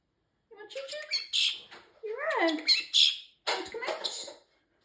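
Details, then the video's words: Pet male parrotlet saying several of his learned phrases, including peekaboo, a fake cough and excuse me, in a rapid run of squawky, speech-like syllables with upward and downward gliding tones. "Talking parrotlet Ozzie, saying a few of his phrases. Peekaboo, fake cough, excuse me etc."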